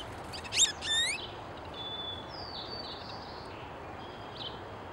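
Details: American goldfinch at a feeder: a quick burst of bright, high, rising-and-falling twittered notes near the start, then softer thin whistled slurs, over steady low background noise.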